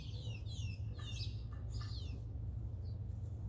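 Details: Blue jay eating peanuts, giving a quick run of harsh, downward-sweeping calls with layered overtones, then a short squeaky note. A steady low hum runs underneath.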